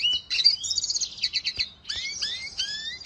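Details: Red siskin singing: a brief high whistle, a buzzy rattling burst, then a pause and three distinct downward-sweeping whistled notes with harmonics.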